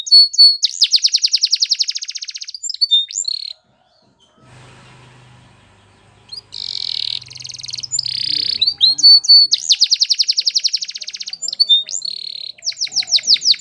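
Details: Canary training song: fast, bright, high-pitched trills and rolling repeated notes, then a quiet pause with a faint low hum, after which the rapid pulsed trills return strongly.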